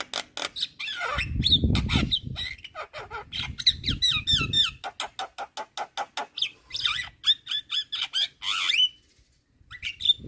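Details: Javan myna known locally as jalak kebo, singing a busy full-fill song for training songbirds: fast chattering and twisting whistles, a regular train of clicking notes, and rising squeals, with intermittent low rumble.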